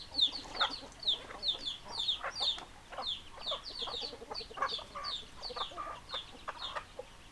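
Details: A crowd of chickens: quick high peeping chirps repeated about two or three times a second, with lower harsh clucks in between, loud at the start and steady afterward.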